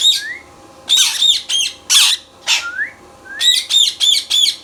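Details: Pet Indian ringneck parrot calling loudly: repeated harsh, shrill squawks in rapid bursts, mixed with short rising whistles, the squawks coming in quick clusters toward the end.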